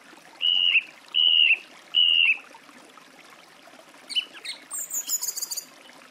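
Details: Song thrush singing: a clear whistled phrase with a slight downward flick at its end, delivered three times in a row, followed by a brief high, scratchy twittering phrase over a soft, steady background hiss.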